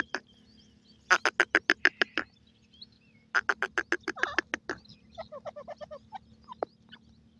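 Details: Young francolin chicks giving two rapid runs of hard, clicking chatter notes, then softer scattered chirps and a few higher squeaky notes trailing off, over a low constant hum.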